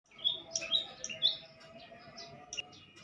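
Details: Young bar-winged prinia singing: a few short bright chirps and trilled notes, high and clear, over faint background hum.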